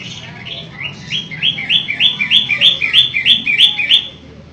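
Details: Long-tailed shrike, locally called pentet, singing energetically ('gacor'). A steady run of identical upward-slurred whistled notes, about three per second, builds in loudness over a faint low hum.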